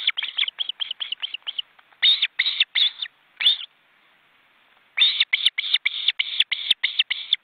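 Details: Wild osprey family at a crowded nest in an Estonian forest reserve, with fledging-age chicks beating their wings, on a webcam. Quick strings of sharp, high whistled yelps come in three bursts separated by a pause of over a second.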